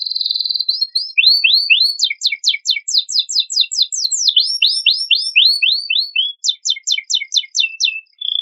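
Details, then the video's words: Canary with a richly filled song, played to spur untrained birds into singing: rapid series of rising, sweeping notes, repeated in fast, varied rhythmic runs, with clipped high chips and a brief steady whistle at the end. "Kenari Isian Mewah Cocok Pancingan Bunyi Burung Bahanan"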